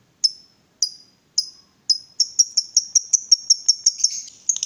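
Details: Provoked lovebird calling: four separate sharp high chips, then quickening into a rapid run of repeated chirps that builds toward a trilling chatter.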